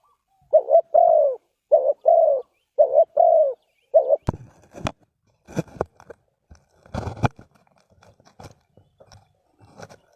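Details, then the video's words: Spotted dove (cu gáy) from Ninh Thuận, Vietnam, used as a lure for bird trapping. It gives a run of soft, low, hollow coos in quick groups for about four seconds, then sharp knocks and clatter follow. "Cu gáy Ninh Thuận"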